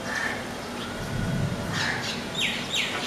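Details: Several house sparrows bathing near a house in Kolkata, India. A few short chirps come early, then a louder pair of quick, rising chirps near the end, over a steady low background hum.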